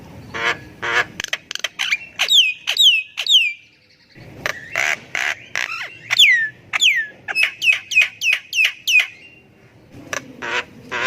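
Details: Javan myna singing continuously, a lure recording meant to get quiet mynas singing: harsh clicking rattles mixed with a series of clear, downward-slurred whistles, broken by a brief silence.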